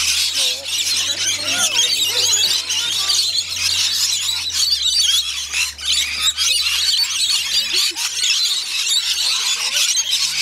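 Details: Rainbow lorikeets in a feeding frenzy at Bungalow Bay Koala Village, north-east Magnetic Island off Townsville, Queensland, Australia: a dense, unbroken wall of shrill screeching and chattering from many birds, with a steady low hum beneath.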